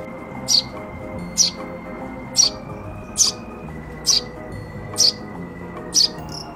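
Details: Rescued young Eurasian tree sparrow, found alone and now kept in a cage, begs for food with sharp, high chirps, about one each second, seven in a row, over soft background music.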